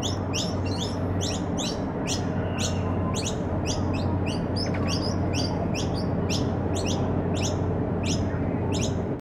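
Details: Noisy miner (Manorina melanocephala) calling while feeding: sharp, high, chipping notes about every two-thirds of a second over a steady low rumble of background noise.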